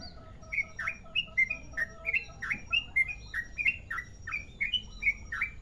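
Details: Loud, clear long rolling song from a Merapi-type sooty-headed bulbul used as a lure: bubbly whistled notes in quick succession, alternating rising and falling slurs, steady and unbroken.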